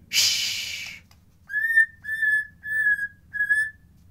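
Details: White-rumped shama song used as a lure to stir lazy birds into singing and breeding condition, original sound without effects. A harsh noisy burst comes first, then four clear, steady whistled notes repeated about every half second.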